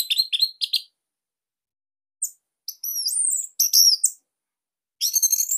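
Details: Orange-headed thrush from Bali, song meant as master material for young or silent captive birds: quick high chirps, a pause, then sweeping whistled slurs and a final burst of rapid high notes.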